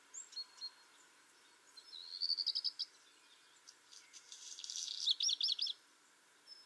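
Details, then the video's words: A Black Redstart (Phoenicurus ochruros) sings a short, high whistled phrase, then a dry, crackling, scratchy burst like crumpled paper that ends in a few clear notes. "Vogelstimmen: Der Hausrotschwanz - Black Redstart - Phoenicurus ochruros"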